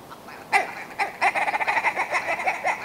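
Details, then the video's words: Two isolated gruff clucks from a Willow ptarmigan, then a rapid, stuttering series of raspy notes that continues to the end. "Willow Ptarmigan - Song & Call"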